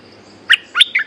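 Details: Resident bulbul answering a caged lure bird hung nearby: three short, bright chirped notes within about a second, each with a quick sliding twist, over faint low background hum.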